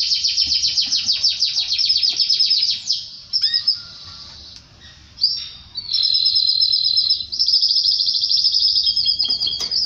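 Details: Canary singing, linked to mating with its female: a fast buzzy high trill, then a few sharp downslurred chips and a quieter gap, followed by long steady whistled and trilled phrases at high pitch.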